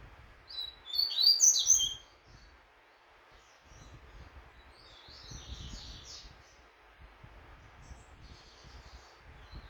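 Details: Double-collared seedeater training for a song tournament: a loud, bright cluster of sharp high chirps and slurred whistles bursts out early, followed by softer, fainter warbled notes and a low rumbling background.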